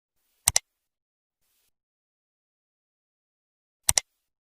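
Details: Two pairs of sharp mechanical clicks about three seconds apart, with silence in between.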